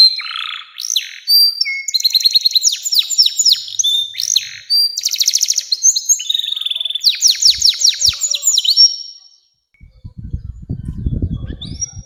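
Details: Canary in long 'nembak panjang' song, played to prompt young canaries to sing: rapid, varied bursts of high buzzy trills and descending whistled sweeps for about nine seconds, then a short low rumbling noise near the end.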